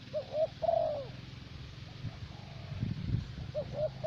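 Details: Caged decoy spotted dove from Vietnam, used to lure wild doves, gives a three-part cooing phrase: two short notes and a longer sustained coo, then a brief pause before two more soft coos begin; faint low rumbling behind.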